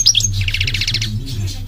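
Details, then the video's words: European goldfinch singing, a short burst of rapid bright twittering notes in a quick series, with a steady low hum underneath throughout. "The beautiful goldfinch is at the top of his game - singing"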